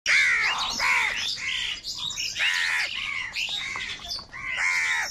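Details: Crows fighting for food in an angry flock: harsh, overlapping arched caws follow one another with hardly a pause, several birds calling at once in a dense, raucous chorus.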